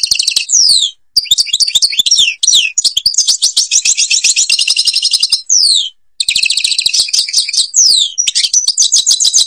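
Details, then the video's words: A European goldfinch in Algeria delivers Babas forest Tiberli song, a dense stream of sweet twitters, quick trills and downward-sliding whistles, broken by two brief pauses. "(canto jilguero argelia) تغريد غابة الباباس تيبرلي"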